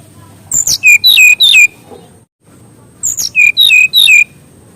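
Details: Mangrove whistler song used as a master recording for training young forest birds at home: two loud phrases of five or six clear whistles, each opening with a high downslur and dropping to lower slurred notes, separated by a short pause.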